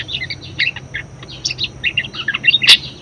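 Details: Budgerigar chattering in quick high chirps and squeaks, ending with a sharp loud click; a very vocal bird whose song is used to encourage and tutor other birds.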